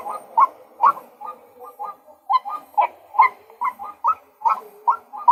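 A male white-breasted waterhen gives a steady run of hoarse, mid-pitched croaking notes, roughly two or three a second, some louder than others.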